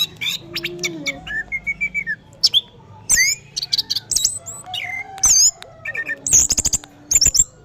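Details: Orange-headed thrush in 'teler pulen' song: a long, varied stream of high chirps, short rising and falling whistled notes, rapid clicks and buzzy bursts, delivered almost without pause over a low steady hum.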